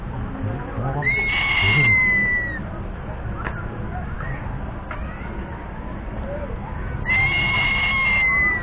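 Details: Crested serpent eagle calling: two drawn-out, clear whistles, each about one and a half seconds long and slightly falling in pitch, spaced about six seconds apart, over steady background talk.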